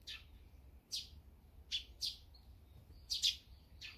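Eurasian tree sparrow giving short, bright chirps at an uneven pace, about one every second, some doubled, over a faint low background hum.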